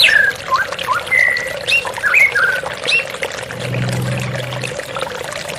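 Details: White-rumped shama with running water: several scattered whistled slurs and a level drawn-out note in the first half, then the song falls away, leaving a low hum and steady trickling.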